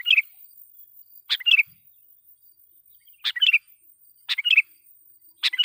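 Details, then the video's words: Sooty-headed bulbul lure song, loud and meant to make wild bulbuls angry. Five short chirpy phrases of a sharp note plus two or three liquid whistles, repeated at uneven intervals of one to two seconds. "suara pikat KUTILANG GACOR /kutilang suara keras,membuat kutilang liar EMOSI"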